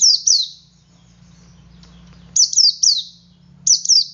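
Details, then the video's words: Male white-eye in ngalas singing to encourage other white-eyes to sing: bursts of three high, falling chirps, with a steady low hum underneath. "Suara Burung Pleci Jantan Ngalas Memancing Pleci Lain Ikut Ngalas"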